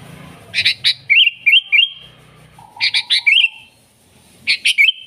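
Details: Sooty-headed bulbul chatter used as a lure for wild birds: harsh sharp notes mixed with short upslurred chirps in a few bursts, with a faint low whistle between them.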